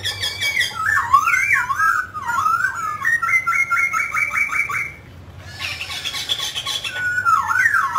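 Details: Singing and dancing mutant grey laughingthrush: twisting whistled notes, then a fast, evenly repeated run of short buzzy notes, a pause, harsh chatter, and a final rising whistle.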